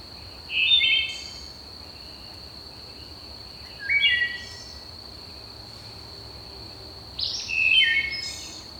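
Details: Early on a summer morning at Manassas National Battlefield Park, an unseen Wood Thrush singing from dense woods gives three flute-like phrases, each with several notes sounding at once, about three to four seconds apart, over a steady high insect drone.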